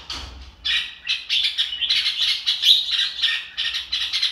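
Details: Red-whiskered bulbul singing "ro kích bổi", opening with a faint note, then a steady flow of bright chattering syllables and whistles, phrases run almost without gaps.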